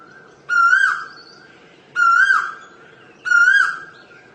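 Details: Three loud swelling whistles from an Asian koel, each rising a little then falling away into an echo, repeated roughly every 1.4 seconds with a faint higher note between.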